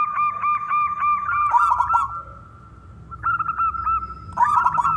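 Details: Male zebra dove, a local wild-type perkutut, singing to lure other doves into song: rapid repeated cooing notes near one pitch, a bubbly rolling phrase, a pause, then more coos and another rolling burst.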